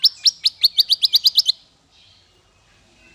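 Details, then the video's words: Small songbird singing as a training master for fighter birds: about ten quick, high, slightly descending chirps in an accelerating run lasting under two seconds, followed by near silence. "Masteran paling merdu untuk burung faigter kecil"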